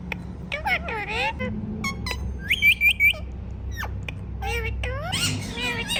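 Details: Pet Indian ringneck parrot, a talking bird, making its natural sounds: three loud, ringing squawks in quick succession mid-clip, among rising and falling whistled notes and short chattering calls, with low background hum.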